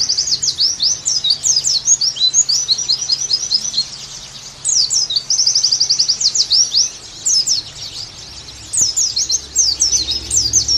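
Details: High, dense song of an Oriental white-eye, played to get pleci singing energetically again: long runs of fast sweeping chirps and even trills, with a few short lulls between phrases.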